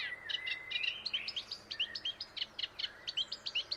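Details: An Eurasian reed warbler sings at dawn in a reedbed on the Île de Raymond in early morning, around sunrise. It gives a steady, chattering song of harsh, high notes, repeated several times a second with little change in pace.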